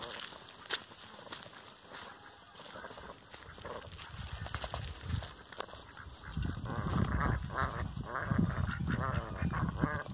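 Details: Several Rouen ducks at a breeder's farm. Soft, scattered sounds at first, then from about six seconds a dense run of loud, nasal, harmonic quacks that overlap, with low rumbling background noise.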